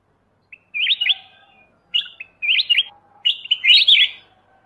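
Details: Black-crested bulbul giving its song: a series of four sharp, swooping warbled phrases, each a quick tumble of high notes, coming in close succession.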